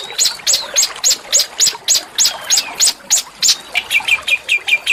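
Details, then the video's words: Small songbird singing harsh yet melodious shot-like song, used as master song to train shamas and magpie-robins: rapid high sharp notes about twice a second, shifting to a lower clipped series at the end. "masteran burung kecil agar murai batu gacor"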